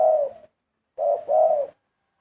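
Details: Large spotted doves delivering sweet cooing phrases: a low, soft coo, a pause, then a pair of similar hollow coos run together, each slightly falling, with nothing else audible.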